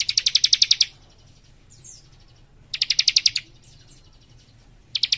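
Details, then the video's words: Young leaf warbler in vigorous dense song: loud rapid trills of around ten bright ringing notes, repeated roughly every two seconds, with soft high sliding notes between and a quiet low hum. "Cikris Muda Gacor Nembak Rapat"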